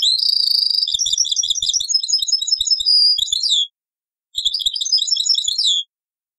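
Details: European goldfinch, taqsrayin-style song copied from an old cassette: a long run of bright chattering twitters and rolling trills for several seconds, a short pause, then a second tinkling phrase.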